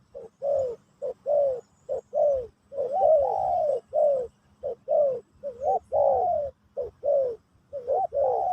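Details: A spotted dove sings in the Pesom or Kacuk style during a teaching session for a new bird. Rolling, mid-pitched coos come in quick succession, mixing short notes with longer bending ones over a faint low drone.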